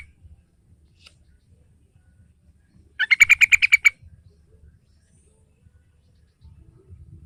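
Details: A single fast burst of about eight bright, rolling chatter notes from a sooty-headed bulbul, played to prompt a young bird to sing, set among quiet low rustles.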